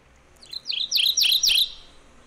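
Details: Migratory Mourning Warbler at Sonso Lagoon near Buga, Valle del Cauca, Colombia: a quick run of four or five rich, slurred chirping notes growing louder over about a second, against a quiet background.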